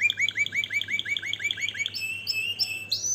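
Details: Canary song: a quick run of repeated chirping notes, then a rising whistled glide and a few higher sliding notes to finish.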